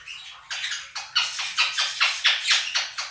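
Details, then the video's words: Pet Quaker parrots, a pair kept indoors, drown out budgie recordings with loud screams. Harsh rasping squawks come at steady intervals of roughly half a second after a quieter start. "КАК ПОПУГАИ МОНАХИ СТАЙКУ ВОЛНИСТЫХ ПОПУГАЕВ ПЕРЕКРИЧАЛИ Quaker parrots scream over flock of budgies"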